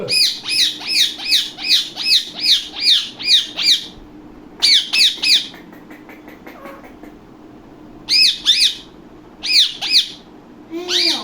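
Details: Indian ringneck parakeet kept as a pet indoors, giving bursts of sharp, high squawking notes in rapid runs, pausing, then repeating in shorter bouts, with a faint steady hum in the room.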